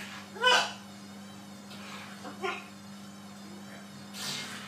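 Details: A talking macaw gives three short, harsh, speech-like bursts about two seconds apart, the first loudest, over a steady low electrical hum.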